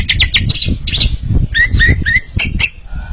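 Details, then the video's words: A pair of Oriental magpie-robins trading song: quick whistled notes and slurred phrases partly masked by heavy low rumbling noise. "Sepasang kacer sedang beradu kicauan"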